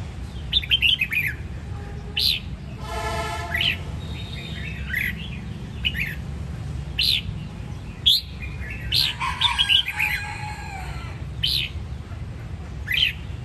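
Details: Red-whiskered bulbul of the Sông Kon line from Đông Giang, Quảng Nam, giving bright, chirpy notes and short liquid warbled phrases every second or two, with one buzzy harsh note, over a steady low hum.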